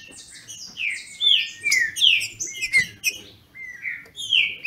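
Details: Captive-bred Green-winged Saltator (trinca-ferro) in Brazil, singing in a dispute with a rival: loud, clear whistled phrases that slur downward, given in quick succession with brief pauses, over faint low background rumble.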